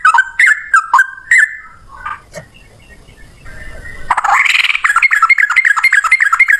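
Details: Yellow-vented bulbul giving fighting song with long chattering, meant as a lure: a few clicking whistles, a quiet pause with low rumble, then a dense burst of rapid rising chatter.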